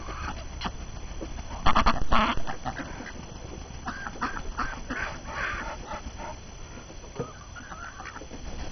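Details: Ducks on a January 6, 2012 morning after the year's first snow, hungry and restless from being cooped up. They chatter in scattered short nasal calls, a louder cluster near the start, with a low background rumble.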